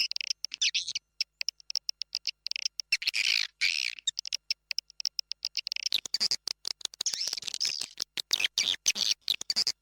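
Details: Swiftlets recorded inside a successful swiftlet house, a lure call known as Raja Liur: dense, high, buzzy twittering from many birds at once, broken by abrupt silent gaps and a sharper burst near the middle.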